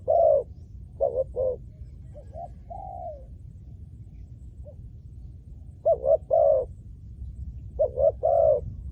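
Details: Spotted dove cooing while used to lure wild doves: a few doubled hoots and one falling coo, then a quiet pause of about two seconds before two more short phrases, over low background noise.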